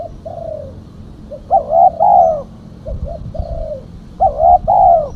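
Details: Female spotted dove cooing to attract birds; soft long falling coos alternate with louder, resonant double coos, the pattern heard twice in quick succession.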